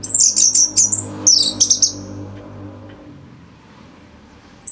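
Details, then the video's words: Orange-headed thrush in full song for training songbirds: very high thin whistles and trills tumbling rapidly, followed by quiet with a low hum behind, and one more high note at the end. "ANIS MERAH Gacor Suara Rapet Bagus Untuk Memaster Burung Punglor"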